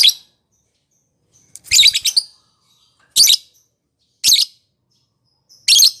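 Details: Lovebird calling, used as a prompt to train a lovebird that rarely sings: sharp, shrill high chirps, one broken into a quick stuttered cluster, spaced one to one and a half seconds apart against a quiet background.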